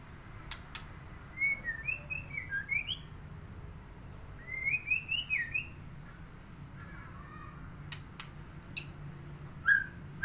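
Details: Murai songbird kept by a neighbour sings two rising and falling warbled phrases several seconds apart. Sharp clicks and a soft background hum are also present.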